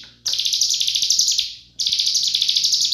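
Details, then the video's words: Two bursts of intense, high, rattling cigun trill in 'full nembak' style, used as a master recording for teaching other birds. A brief quiet gap separates the bursts, and a faint hum lies beneath. "Masteran Full Nembak Rapat Burung CIGUN"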